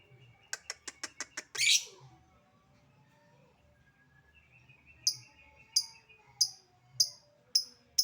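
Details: Lovebird calling in a lure recording meant to provoke other lovebirds to respond: a quick run of six sharp ticking notes, a harsh burst, then after a pause a series of high clipped notes about every 0.6 seconds.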